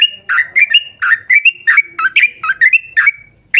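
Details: Yellow-vented bulbul in full lively song in the long-rolling 'ropel panjang' style, used as a lure to draw birds of its kind into singing: a rapid chain of bubbly, gurgling whistled notes, about three per second, with a few brief pauses.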